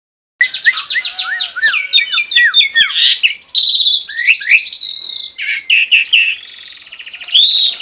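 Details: Asian pied starling from Lampung giving a fast, unbroken medley of high-pitched chattering notes, short rising whistles, clicks and buzzy trills, with no other sounds.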